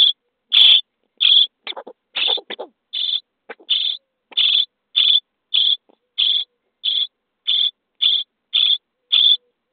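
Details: Common starling nestlings in a nest box on day 23, begging while being fed: about fifteen short, high, even-pitched calls repeated roughly every two-thirds of a second, with scratchy rustling sounds in the first seconds.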